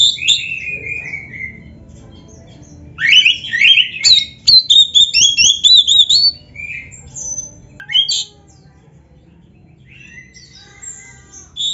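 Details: Oriental magpie-robin, black-breasted form, kept songbird, in a rich 'gacor full isian' song stuffed with imitations. Loud whistled slurs and rapid buzzy trills, mostly high-pitched, with quieter pauses. A low hum runs underneath.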